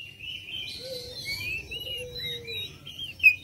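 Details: Oriental magpie-robin song used as a lure for other birds: soft, continuous warbling whistles that slide up and down, with a low drawn-out whistle underneath and a brief louder note at the close.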